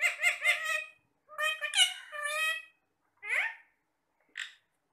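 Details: Talking parrots chatting to each other while eating apple: clustered speech-like syllables with rich harmonics, a longer run of word-like sounds, then two short separate squawks, indoors and quiet between calls.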